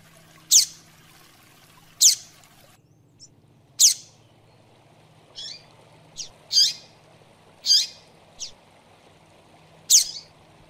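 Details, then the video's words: Double-collared seedeater (coleiro), kept as a tutor bird, giving sharp, high, downward-sliding single notes spaced about one to two seconds apart, with a few softer chips between them over a steady low hum. "Tui Tui Zel Zel Zel Três Notas Manejo e Encarte"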